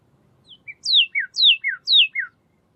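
A Pyrrhuloxia gives two short lead-in notes, then three quick paired phrases of thin, clear whistles slurring sharply downward, about two per second. Nothing else is heard.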